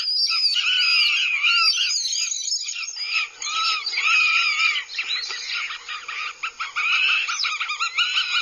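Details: Aggressive Northern goshawk chicks at their nest in Abernethy, Scotland, filmed by a live nest camera in July 2022; a busy tangle of shrill, rising and falling squeals from several birds, with brief lulls between bursts.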